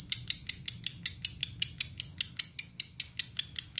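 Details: Lovebird in Indonesia, sound used to prompt other lovebirds to sing: sharp, clear high chips repeated evenly about four times per second, each note identical and whistle-like.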